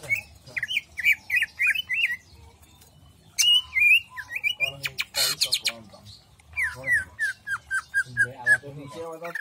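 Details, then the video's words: Greater green leafbird jamstrok song with bursts of rapid whistled slurs, a pause, then sharp piercing notes and harsh rasps, closing with a descending series of quick, evenly spaced whistles. "cucak ijo jamstrok"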